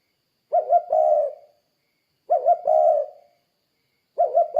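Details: Spotted dove calling vigorously, played to lure other doves to call: a soft low coo of two short rolling notes and a drawn-out hum, repeated roughly every two seconds against a quiet background.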